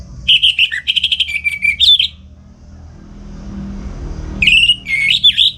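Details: Orange-headed thrush kept at home in Singaraja, North Bali, singing in the morning as a training model for other songbirds; fast run of clear whistled and trilled phrases, a pause, then another bright whistled burst, low hum beneath.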